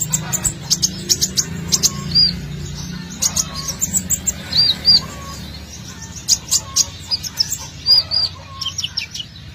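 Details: Olive-backed sunbird singing vigorously, a lure recording to draw birds in: dense bursts of high ticking chirps, repeated doubled whistled notes and occasional lower short whistles, over a steady low hum.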